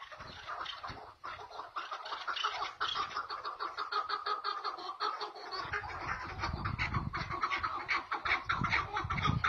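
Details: Chukar partridges in a back-and-forth calling duel, giving a dense, rapid run of harsh chuk notes that overlap and build steadily, with low rumbling noise in the second half.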